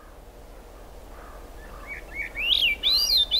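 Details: Swainson's thrush singing in the rain at the Squamish River Estuary, July 6, 2022: a few low soft notes, then a loud upward-spiralling run of fluty, rolling phrases climbing higher toward the end.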